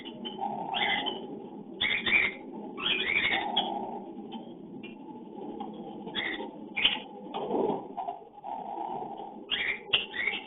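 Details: Cockatiels during breeding, recorded on a hidden camera, giving their mating calls: bursts of harsh, high chirps and screechy notes that come in clusters every second or so over a steady lower murmur.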